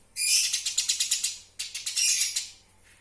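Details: Master recording of a Eurasian tree sparrow used to train songbirds: two loud, fast bursts of scratchy, bright chirps, about eight notes each, separated by a brief gap.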